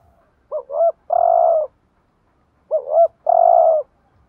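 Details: Spotted dove giving a driving decoy coo meant to stir other doves into cooing: two short rising-falling hoots, then one longer steady low coo, the phrase repeated twice about two seconds apart, clean with no other sounds.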